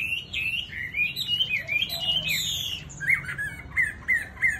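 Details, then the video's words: Chinese hwamei, a tame bird, pours out a long rich run of rising and falling whistles, then switches to short sharp whistled notes repeated about twice a second. "Mi thuần DV6969 NÉT HOẠ ĐẸP GIỌNG CA HAY"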